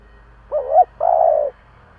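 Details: Spotted dove decoy with a native-style voice (giọng thổ), cooing to lure wild doves: one low, two-part coo, a short wavering note rising slightly, then a longer steady hum-like note, over faint background hum.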